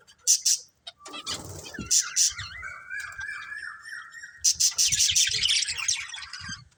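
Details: Budgerigars chirping with scratchy bursts and a long thin whistled note rising slightly, followed by dense rapid chatter, faint low knocks in the background.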